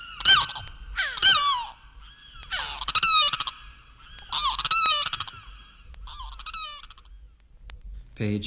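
Loud, wailing Limpkin cries, harsh and ringing with a rolling quaver, given in bursts about once a second with short pauses between.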